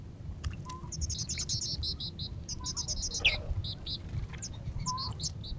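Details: Several western bluebirds give quick runs of high, thin chips and short soft whistles, with low rumbling background noise throughout.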